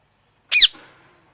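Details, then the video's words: A parrot gives a single loud, rasping squawk that drops in pitch and trails off with a faint echo. "Parrot Chirping Sounds"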